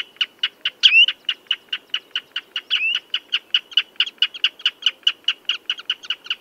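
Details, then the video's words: Common redshank calling with a fast string of short, sharp notes at an even pitch, plus two quick rising whistles early on; otherwise clean and quiet. "Tiếng Chim Choắt Chân Đỏ"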